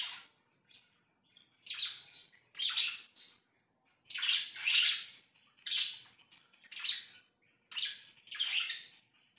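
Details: Budgerigars kept as pets chirping in short scratchy bursts about once a second, some doubled, with quiet pauses between them.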